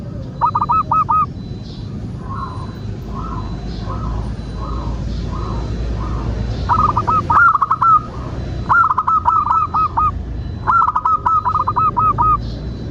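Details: Local zebra dove (perkutut) singing, played as a lure to prompt other doves to sing: bursts of rapid, rolling, mid-pitched cooing notes about a second long, softer single coos between phrases, over a steady low rumble.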